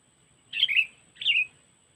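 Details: Sooty-headed bulbul (kutilang) trapping lure in the cengkeram style, Lampung: two rough, slurred chirps half a second apart over a soft low background rumble.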